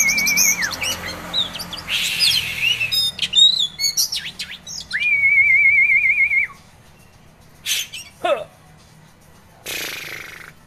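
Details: Oriental magpie-robin, caged contest prospect in Kisaran, delivers sliding whistles and fast chatter, then a long sustained whistle with a rapid warbling quaver, followed by sharp downslurred notes and a short harsh burst.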